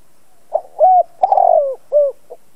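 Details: Decoy spotted dove cooing to provoke other doves to call: a soft introductory note, a smooth coo, a long rough coo sliding down, a shorter falling coo and a tiny final note.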